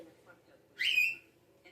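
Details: A young pet cockatiel, during clicker training on a turn-around trick, gives one bright, rising, harmonic-rich chirp lasting under half a second.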